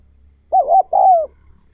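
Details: Spotted dove, recorded to train wild-caught doves, giving two full mellow coos. The first wavers slightly and the second slides gently downward. A faint low hum sits underneath.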